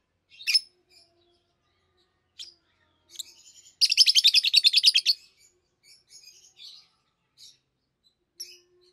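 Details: Two captive peach-faced lovebirds, red-headed green opaline and red-faced dark green, raised together, seven to eight months old: scattered sharp chirps, then a fast rattling burst of rapid high notes for about a second, followed by softer twitters.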